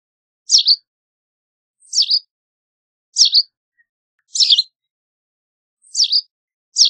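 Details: White wagtail calling with single sharp, high, downward-slurred chips, each doubled, spaced roughly every one and a half seconds in a clear, otherwise quiet setting.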